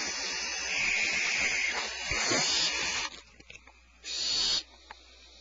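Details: Nest birds reacting to a person they have not seen: a long steady hiss of about three seconds, a short pause, then another sharp half-second hiss, with soft knocks in between.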